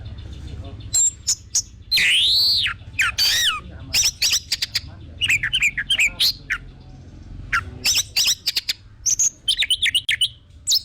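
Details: Orange-headed thrush song, a recording meant as a lure to set other birds singing steadily: a loud, varied run of high whistled and sliding notes, rising and falling arcs, with sharp chips and rapid trills packed closely across eleven seconds.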